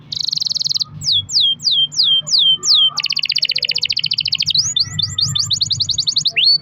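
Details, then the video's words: Caged canary's long roll, played to coax other canaries into song: a buzzy high trill, a series of falling whistled notes, then a fast rattling double-toned roll and quick upswept chips. "kenari gacor ROL PANJANG buat pancingan kenari agar bunyi"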